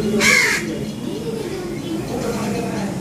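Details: Crow chick begging while its mother refuses to feed it: one loud, harsh, hoarse caw near the start, followed by a person talking in Tamil over a steady low background hum.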